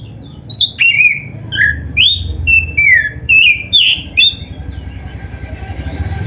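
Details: Kacer dada hitam, the black-breasted Oriental magpie-robin, in vigorous song used to coax other magpie-robins into singing: a quick series of loud whistled notes, several dropping in pitch and a few buzzy, then fading, over a steady low hum.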